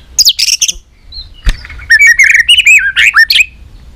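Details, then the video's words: White-rumped shama delivering competition fighting song: harsh high buzzy notes, a sharp click, then a flowing sequence of wavering whistled phrases. "kích lửa 3 mùa yếu lửa hót đấu lên lửa.chòe lửa nết đập xoay chớm lửa hót đấu"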